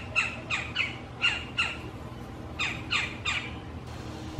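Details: Territorial dispute at a backyard nest box during courtship, as two female Red-bellied Woodpeckers argue: harsh, rolling churr-like calls in quick bursts of about three per second, then a pause and another run, over a faint background hum.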